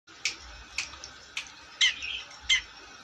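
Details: Long-tailed shrike in full voice, giving five harsh squawking notes spaced about half a second apart, the last two louder with rasping overtones, over a steady low hum.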